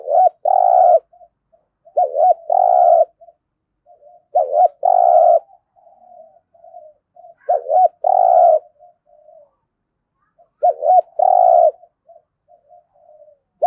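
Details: Spotted dove in thúc gù cooing, recorded for training decoy birds: repeated low phrases of a short wobbly note and a long hum, interspersed with soft quiet murmuring notes.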